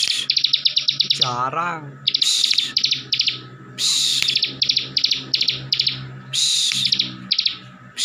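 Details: Ngebren song of a bar-winged prinia, locally ciblek, kept in Slawi, Tegal, Central Java, which provokes other ciblek. Dense rapid chip series and harsh bursts continue throughout, with a brief low wavering sound early on and a faint background hum.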